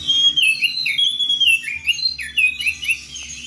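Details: Oriental magpie-robin singing in the clear 'ngeplong' style to call a rival: loud, rich whistled phrases with rising and falling slurs and quick chirpy notes, delivered continuously with little pause and nothing else heard.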